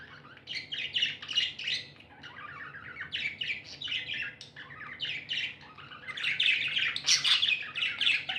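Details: Tame pet budgerigars, described as happy, chirping: dense, continuous warbling chatter of buzzy, squeaky and whistled notes mixed with harsher squawks, several birds overlapping with hardly a pause, a low steady hum underneath.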